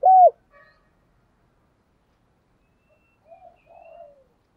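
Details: A single bright, arched coo from a spotted dove, used to stimulate doves, followed by a long silence and faint, soft trailing notes.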